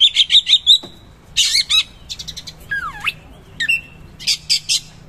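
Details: Oriental magpie-robin singing rough 'materi kasar' material: rapid rattling trills repeated in quick series, a deep swooping whistle, and further stuttering bursts.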